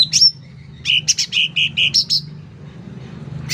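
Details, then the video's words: Energetic sooty-headed bulbul song: a thin high upslurred note, then a quick series of rounded, fluty chirps alternating with sharp high clicks, then silence and a final high note. "Suara Cucak Ranting Gacor Volume Keras"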